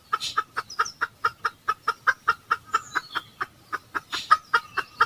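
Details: Red junglefowl lured to a decoy trap in 2020, with two wild birds arriving: a rapid, evenly spaced run of short clucks, about four each second, holding steady throughout, with faint chirps in the background.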